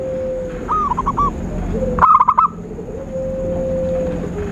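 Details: Zebra dove call used to lure birds for trapping: two brief runs of fast, stammering coos, the second louder, between stretches of a plain sustained tone.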